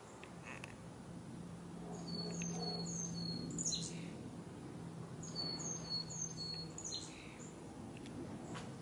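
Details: Chickadees in colorful autumn trees in a backyard, fall 2021, give two quick bursts of thin, high chips a few seconds apart, over a low steady hum.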